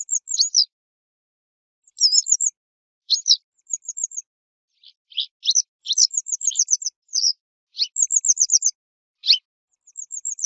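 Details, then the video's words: Western yellow wagtail song and calls: high, thin chirps and short buzzy trills in scattered bursts, some phrases repeated rapidly, against an otherwise quiet background. "صوت ذعرة صفراء song call wastern yellow wagtail"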